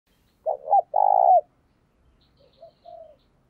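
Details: Decoy spotted dove giving a vigorous thúc bổi coo to stir other doves: two stuttered low notes, then a long rolling crooo, followed by softer, shorter coos further back.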